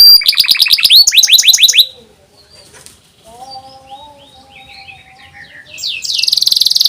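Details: Canary song intended for training young canaries: bursts of loud rapid descending trill notes, a quiet gap with soft whistles and warbles, then a dense buzzy trill at the end.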